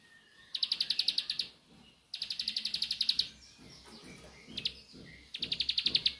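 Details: Ciblek sawah, the Bar-winged prinia, with nembak song: four fast trains of high bright chips set against a busier background of low rustling noise and scattered faint calls.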